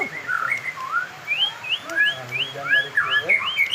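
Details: White-rumped shama under fighter training for a late-heating bird, repeating clear upslurred whistles about every quarter second in a steady rising series, with softer lower whistles woven in.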